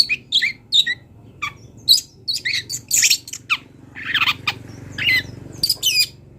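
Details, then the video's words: Long-tailed shrike, a wild bird, singing a varied, mimicking song meant for training songbirds: short harsh squawks and chirps, some whistled rising and falling notes, delivered in irregular bursts with brief pauses. "CENDET GACOR BONGKAR ISIAN | MASATERAN CENDET BURUNG LIAR"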